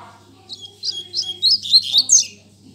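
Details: Caged Rusty-collared seedeater (coleiro), a young bird learning to sing, held in its cage in the hand while opening its song: about seven high, sweet whistled notes, quickening into brighter twittering over two seconds, with a faint low hum beneath.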